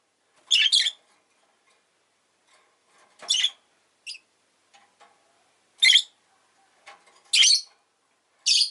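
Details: Shrill, harsh chirps from a pet rosy-faced lovebird, given singly about every one to two seconds, some doubled, with soft clicks and faint rustling in the quiet gaps.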